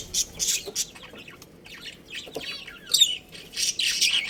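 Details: Budgerigar breeding pair chirping: scattered bursts of high, scratchy chatter and short squeaky notes, some brief rising whistles, with quieter gaps between loud spurts.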